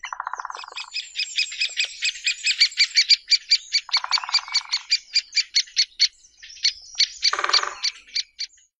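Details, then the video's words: A great spotted woodpecker (Dendrocopos major) gives a long series of sharp, high chips, about four or five a second, broken three times by lower, harsh rattling bursts, used as a lure call. "Audio Del Pico Picapinos (Dendrocopos major)"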